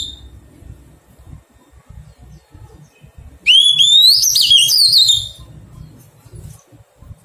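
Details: Newly caught Oriental magpie-robin in taming: a single bright whistled phrase lasting under two seconds, sliding upward and ending in rapid high twittering notes, between stretches of low rumbling background noise.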